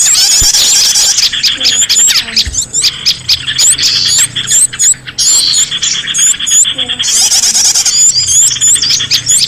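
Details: Sound lure for recapturing escaped small cage birds, Indonesia: packed, shrill twittering and downward-slurred whistles in loud bursts separated by quieter spells, the chorus thinning around the middle before swelling again.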